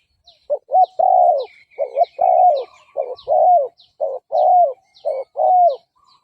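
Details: Spotted dove decoy cooing, aimed at luring and provoking fighting males: mellow coos in alternating short and long notes, some sliding downward, repeated steadily, with a thin high trill and chirps of other birds.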